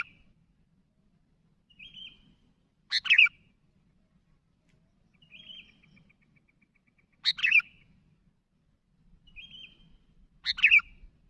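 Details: Lively sooty-headed bulbul calling to companions. Three loud clusters of sharp chirps about four seconds apart, each preceded by a short soft whistled note. Quiet background.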